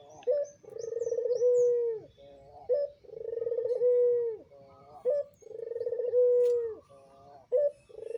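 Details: Pelung-style Barbary dove, a captive breeding adult, cooing steadily. It gives three full phrases about every two and a half seconds, each a brief high opening note followed by a long vibrating coo that dips downward. Faint chirps sound in the background.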